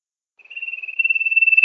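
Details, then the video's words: Sirtu bird call from a master recording used for luring sirtu in rice fields: after a pause, a steady high buzzy trill starts soft and grows louder, with fast regular pulses. "Masteran Suara burung SIRTU gacor!!!"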